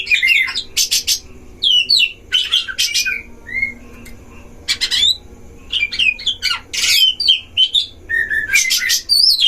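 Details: Oriental magpie-robins duelling in breeding cages, recorded as a lure to excite other magpie-robins: short explosive harsh bursts separated by pauses, with sweet rising and falling whistles between them.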